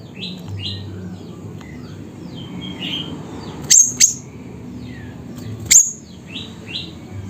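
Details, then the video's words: Siri-siri bird from Busu Reului, Mutiara, Pidie regency, Aceh: a pair of shrill high chirps followed by a single one, while other birds give repeated soft rising whistles throughout against steady low hum. "Burung Siri Siri Nembak Suara Gacor"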